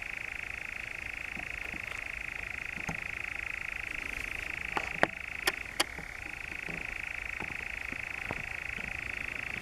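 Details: European nightjar, the Brecks, Norfolk, summer 2017: sustained purring trill with soft knocks and clicks scattered through it, the churr stepping up slightly in pitch near the end.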